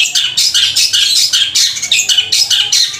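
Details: A captive long-tailed shrike in loud, long, powerful song pours out harsh, scratchy chattering in rapid high bursts, several each second, with barely a pause.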